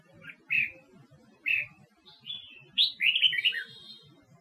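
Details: Red-whiskered bulbul of the Huế type, a caged bird kept for song contests; two short whistled notes a second apart, then a rising note and a fast tumbling warbled phrase sliding downward.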